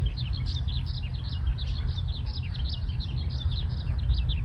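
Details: Eurasian skylark song from a breeding-season male that hovers in the air while singing, recorded 20 May 2026 in a neighbourhood park: busy, unbroken, high twittering chirps pouring on without pause over loud low wind rumble.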